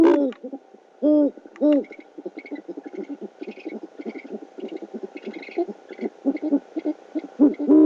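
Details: Great horned owls at a nest cam, Oklahoma City, 12 February 2013 at night, male arriving with a rodent for his mate: a few loud harmonic notes, then soft, fast chattering with faint higher squeaks.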